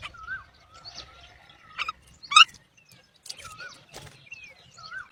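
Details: Myna chicks in the nest give a varied run of whistles, squeaks and harsh chattering notes, with a loud grating burst midway and soft background rustling; the young are said not to answer the mother's feeding call.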